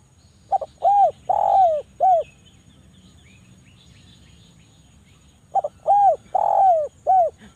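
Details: Javan island collared dove, a very active caller with a dense, sharp voice, used as a lure to get idle doves calling: two phrases of mellow coos, each a quick stuttered double note, rounded coos, a long drawn coo and a falling end note, about five seconds apart.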